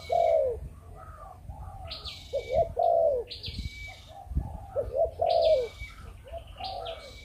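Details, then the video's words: Spotted dove of Malaysian stock uttering the 'chụp chụp ô' coo: drawn-out mellow hoots separated by pauses, against louder high chirps with falling tails from other birds. "Chim Cu Gáy | Chụp Chụp Ô | Cu Malaysia Sinh Sản"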